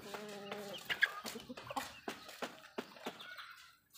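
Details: Hen in a backyard flock while feeding gives a drawn, steady harmonic cluck, then a run of sharp, evenly spaced pecking clicks and quieter clucks from other birds.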